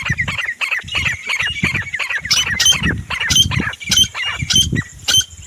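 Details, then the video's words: Grey francolin (desi teetar) giving harsh, shrill squawking notes in rapid irregular bursts, with dull low thumps and rustling beneath. "Desi teetar // sounds teetar awaaz"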